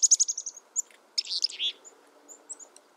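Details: Black-capped chickadee giving a fast fading run of high chips, then a scratchy, buzzy phrase and a few scattered thin notes.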